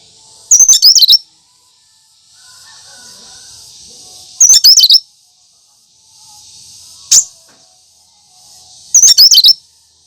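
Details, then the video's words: Natural cucak kinoi song without mimicry, used to prompt and lure other birds: short bursts of high, squeaky, twisting chirps repeat about every four seconds, with a single sharp note between them over a faint steady hiss. "Suara asli cucak kinoi"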